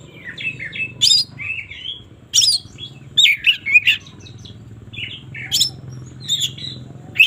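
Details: Oriental magpie-robin singing in the morning, a varied series of short whistled phrases and sharp high chirps in separate bursts, over a low steady hum.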